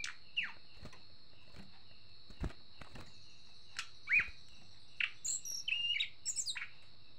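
Sunda Robin giving short, sharp chirps and brief whistled notes at irregular intervals, over a steady high insect drone and a few clicks.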